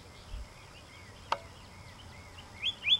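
Pyrrhuloxia calling: a series of faint, slurred whistles, a sharp click, then louder, high, sharp chip notes at the end against a quiet outdoor background.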